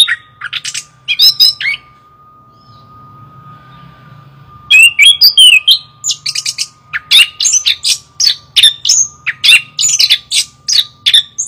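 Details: Chestnut-capped thrush sings a few harsh notes, falls silent for about three seconds, then bursts into a rapid, dense series of sharp chirps, whistles and rasps, over a low rumble and faint hum.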